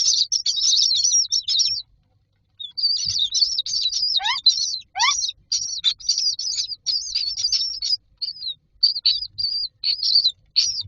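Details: Young common mynas in a nest box waiting to be fed; continuous rasping high chatter, a short silence, then more bursts with two quick rising squeals mixed in.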